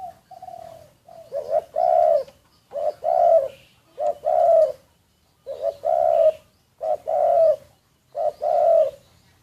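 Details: Decoy spotted dove, secretly recorded, cooing steadily: about seven phrases, one roughly every 1.3 seconds. Each has one or two short lead-in notes and then a drawn-out throaty coo.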